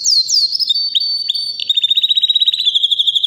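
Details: Non-stop singing by a three-year-old white canary: sliding high whistles and clipped notes, followed by a rapid, evenly pulsed trill lasting over a second.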